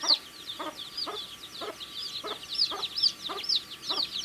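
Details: A group of baby chicks chirps while eating: rapid high-pitched peeps overlapping constantly, punctuated by short lower knocking sounds about twice a second.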